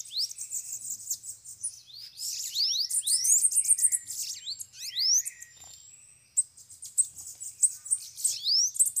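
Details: Several free bananaquits (sibite) drawn to a cage in a lure session, singing fast thin high notes: steep upward slurs and buzzy trills in busy runs, a drawn-out whistle after a pause, then more rising strokes.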